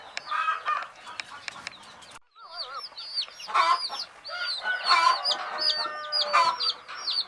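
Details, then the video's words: Baby chicks of a hen, said to be sleeping, chirp in a dense flock: many high, arched peeps overlap continuously, with lower rough bursts mixed in and a brief quiet gap near the middle. "Fun Sleepy "Chicks Chirping" Sound of Gallina Babies"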